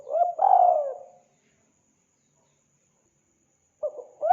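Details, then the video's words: Spotted dove lure sound: a brief coo and a long, drawn, falling coo, then a long silence before another phrase begins at the very end. "Mp3 burung tekukur sangat gacor"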